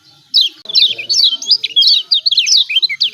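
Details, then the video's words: Yellow white-eye from Lombok used to coax reluctant birds into calling: dense, lively high chirping, quick rising and falling notes almost without pause. "CIAK CIAK JOSS KECIAL KUNING AMPUH||PANCINGAN KECIAL MALAS BUNYI||"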